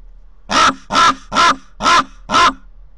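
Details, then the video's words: Raven visiting its nest in Corbera de Llobregat near Barcelona, captured by a nest camera: a run of five rough, grating caws at roughly half-second intervals. "Visitants del niu - Corb - Corvus corax"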